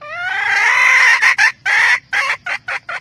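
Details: Hen of the red junglefowl calling the rooster. A sustained rising squawk is followed by choppy, uneven bursts of hoarse cackling.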